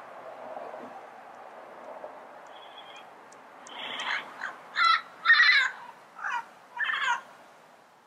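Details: Quiet opening with faint background, then a wild Yellow-headed parrot breaks into several short, raspy squawks of varying loudness.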